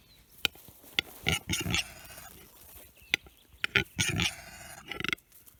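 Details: Male capercaillie, agitated, recorded in April 2021 in Läänemaa, western Estonia: harsh grunting rasps alternate with crisp clicks, several loud bursts bunched near the start and middle, ending in a quick rattle of ticks.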